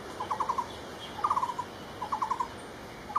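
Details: A barbet gives short bursts of rapid repeated notes, falling off at the end of each, about one burst per second.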